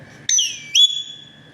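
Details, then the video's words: A talking Alexandrine (Kashmiri raw) parakeet says a two-syllable "hello" in a clear, whistle-like voice, the first note dropping in pitch and the second rising and holding. "TALKING PARROT"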